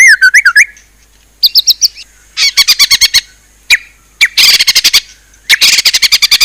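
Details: White-rumped shama singing a fierce varied song: quick looping whistles, bursts of rapid sharp high chattering notes and harsh trills separated by short pauses.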